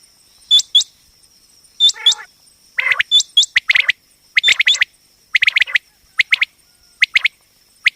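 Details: Female common quail calling, a batair sound used by quail hunters and trappers: paired hooked chirps, then denser runs of short rising notes, a steady shrill tone underneath.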